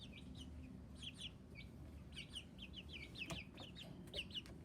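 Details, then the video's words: Chicks peeping: many short high downward-slurred peeps in quick clusters, some paired, scattered across the recording over a steady low rumbling background noise. "Le chicks, 🐤 (some loud noises)"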